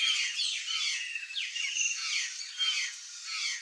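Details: Flock of wild curl-crested jays, Brazilian gralha-do-campo, giving dense overlapping harsh squawks and downslurred notes without pause, a loud steady chorus.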